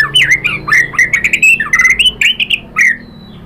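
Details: White-rumped shama singing as a lure to draw answers from other shamas: a rapid string of loud, harsh, squawky notes with sharp upward flicks, packed closely over three seconds, ending in a brief fading whistle.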